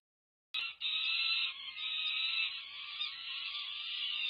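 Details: Fledging-age peregrine falcon nestlings, over five weeks old, at a UC Berkeley nest in California on 18 May 2023, begging at a feeding; after a short silence, one long unbroken rasping scream.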